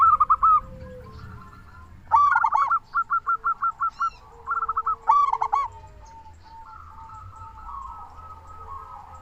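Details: Zebra dove of local stock calling as a lure for quiet or stressed doves: a rapid run of short, evenly spaced cooing pips between throatier stuttered bursts, then a long steady note trailing off, low rumble beneath.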